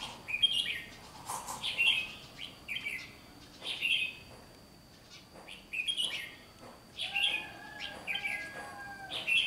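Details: Red-whiskered bulbul singing competitively, short chirpy warbled phrases repeated at irregular intervals, a few lower whistled notes near the end, over a steady faint high tone and rustling noise.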